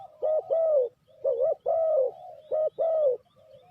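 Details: Decoy spotted dove for trapping, cooing steadily: mellow hooked notes rising then falling, grouped in twos and a longer sliding coo, with soft lower coos in between and no other sound.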